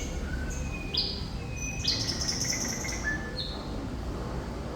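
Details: Thrush nightingale singing lively: clear whistled notes at different pitches, some held and some sliding, with a short burst of quick rattling strokes, over steady low background hum.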